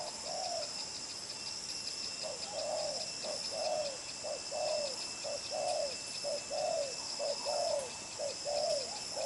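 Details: Strong-cooing spotted dove, đồng pha chân cua type, lively and pushing its coos with a trailing tail: low mellow paired coos, brief note then a longer downward-sliding one, about once per second over constant shrill background hiss.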